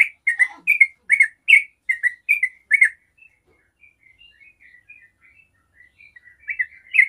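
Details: Yellow-vented bulbul 'ropel' song used to coax other bulbuls into singing. Loud chattering bubbly notes for three seconds fade to faint scattered whistles, then the bright burbling phrases return at the end.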